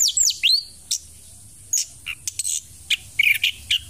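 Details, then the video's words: A chestnut-capped thrush, still singing actively while moulting, gives a quick run of high, sweeping whistles and sharp chipped notes in short bursts, with brief pauses between phrases; nothing else is heard. "Anis Kembang Tetap Gacor Saat Mabung"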